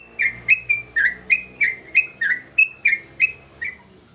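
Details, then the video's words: Full song from a young sooty-headed bulbul: a brisk series of loud whistled slurs, about three each second, some pitched higher than others, over a low, faint hum. "Suara burung trucukan muda gacor"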